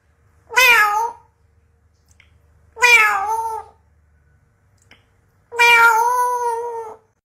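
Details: A pet African grey parrot imitating a cat, indoors. It gives three drawn-out, cat-like meows with clear harmonics, each about a second long. The meows are spaced two to three seconds apart in a quiet room.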